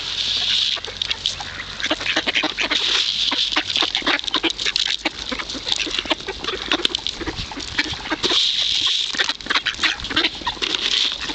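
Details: Greedy ducks being fed at the Kirchsee in Preetz, Germany keep up a loud, continuous racket of rapid overlapping quacks and scratchy calls from the whole flock, with a high hiss behind.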